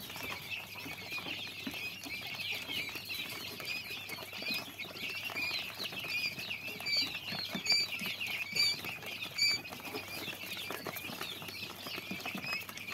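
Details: A group of common quail chicks keeps up steady high-pitched peeping, short thin notes tumbling over one another, with scattered louder chirps and frequent pecking taps and scratching.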